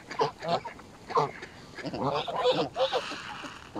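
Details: Mallard ducks crowd in with Canada geese at a feeding frenzy on Smith's Pool, Stoke on Trent, UK, 21 November 2021, phone recording; rough, nasal quacks come in quick clusters, some stretched and raspy, over a busy flock background.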